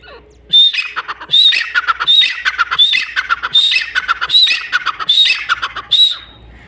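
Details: Grey francolin, known locally as teetar, calling loudly: harsh, high, squeaky multi-note phrases repeated about every 0.75 seconds, each phrase ending in a sharp rising whistle, eight phrases in a steady rhythm, with no other clear sounds.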